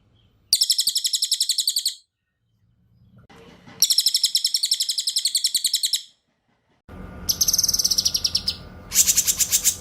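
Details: Songbird training recording pairing cililin and cucak kinoy in ngebren style: two high rattling trills of about two seconds each, separated by a pause, then further buzzy bursts over a steady background hum.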